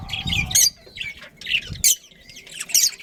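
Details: Budgerigars in a breeding colony give scratchy squawks and chirps in irregular bursts, a few loud sharp notes standing out, with wing flutter and low thumps between.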